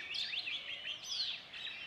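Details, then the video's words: Male Oriental magpie-robin singing near Satpura in Central India while seeking a mate; soft, distant-sounding sweet whistled phrases that slur up and down, varied and continuous, over a hiss of background noise. "The Song Of The Oriental Magpie Robin"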